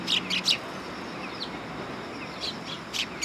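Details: Sparrows on a raised platform at a Tenmangu shrine in Japan, 3 September 2022. Quick high chirps open and close the passage, with a quieter middle and soft background noise.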